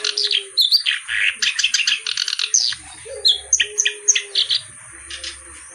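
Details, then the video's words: Lively kerak basi (reed warbler) song: rapid rattling bursts of loud, scratchy chirps and clicks, fast harsh chatter alternating with short high squeaky whistles, in gapped phrases roughly every half second, over a faint low hum. "BURUNG KERAK BASI GACOR CENGKOK LAGUNYA OK"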